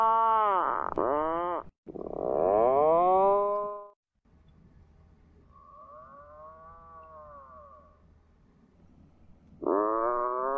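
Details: Atlantic puffins on sea cliffs of a small island, flying by the sea, give deep, drawn-out groaning moans: two loud ones close together, a fainter arching moan after a pause, then another loud one begins.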